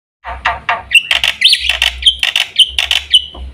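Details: Black-winged myna giving a fast run of harsh, buzzy chattering notes that break into loud squeaky whistles near the same pitch, repeated in quick irregular bursts, with a low hum underneath.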